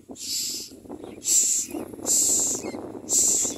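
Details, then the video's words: Begging Common myna chick fed by its parent gives a series of four strong, breathy, hissing rasps in quick succession, with a low background hum. "Common myna Birds feed the baby forever"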